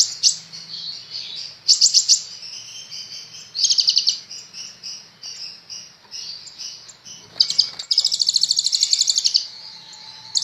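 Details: Kept kolibri ninja sunbird in lively song: very high, thin twittering phrases broken by bursts of rapid buzzy trills, with one long chattering trill near the end.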